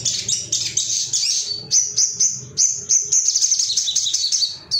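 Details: Ruby-cheeked sunbird male in an agitated, rival-seeking singing state: very high thin chirps and sweeping whistled notes in rapid runs, some held trills, with a low background hum.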